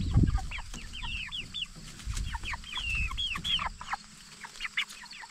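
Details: Jumbo Cornish Cross meat chickens aged 44 days utter clear arched peeps, some longer and drawn out, in loose runs, after an opening low thud and with quiet handling noise.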